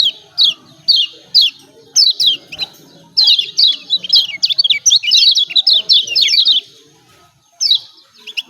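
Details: White-eye (kecial kuning Lombok), 'ciak ciak' calls used as a lure for birds that are reluctant to sing: rapid, high, sharply falling chirps in dense chattering bursts, pausing near the end before a few last notes.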